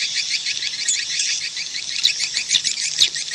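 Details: Swiftlet call sound: crowded high-pitched chirps pulsing about twice a second, some sharper notes standing out near the end.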